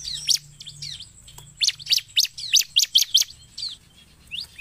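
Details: Ciblek, the bar-winged prinia, singing briskly as a lure for other birds: a fast run of loud, clipped, high chirps repeated several times per second, with softer scattered notes before and after and a faint background hum.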